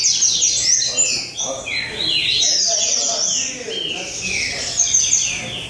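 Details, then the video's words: Rusty-collared seedeaters at a singing competition in São Vicente, Brazil: high, fast overlapping phrases of sharp downslurred whistles and twittering trills from several birds at once, with faint human voices underneath. "Torneio de Coleiro em São Vicente"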